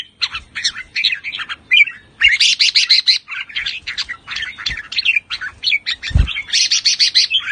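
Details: Thai red-whiskered bulbuls of the Pa La-U line, caged, singing and chattering in a dense, nonstop jumble of overlapping bright whistled and buzzy notes, with a single dull thump near the end.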